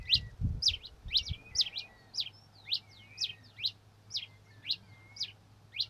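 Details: Red-crested finch (Coryphospingus cucullatus), song.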